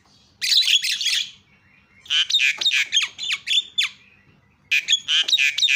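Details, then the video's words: Javan myna calling to provoke other mynas: three loud bursts of harsh chatter mixed with sharp whistled notes, separated by short quiet gaps. "GAK PERLU LAMA BIKIN JALAK KEBO JADI TERIAK"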